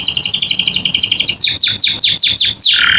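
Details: Captive canary singing as training audio for other birds: a fast rattling trill of rapid repeated notes, then a series of loud downward-sweeping whistles ending in a held tone.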